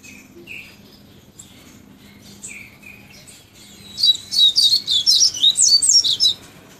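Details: Tawny-bellied seedeater: a few soft, separate chirps give way to a fast, high, twittering run of notes packed closely together over the last three seconds, against a quiet low hum.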